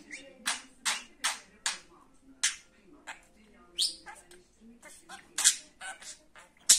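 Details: Pet budgerigar producing a run of loud, sharp, scratchy chirps in irregular bursts, some rising quickly, with brief quieter gaps between them.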